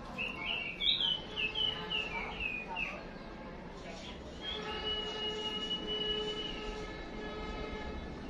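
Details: White-rumped shama kept as a fighting decoy, male stirred by a female's call: a quick series of slurred whistled notes, then a long steady whistle, with a steady background drone and faint noise.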